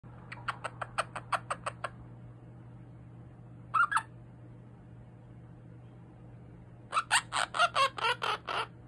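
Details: A pet quaker (monk) parakeet making what its owner calls happy noises, chattering in quick bursts of harsh, squawky notes over a low steady hum.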